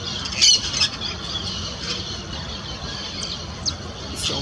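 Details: Noisy yellow-chevroned parakeets feeding on Cecropia fruit before sunrise in an urban park in Uberlândia, Minas Gerais, Brazil, give harsh, shrill screeches in short scattered bursts, loudest near the start, over a steady outdoor hiss.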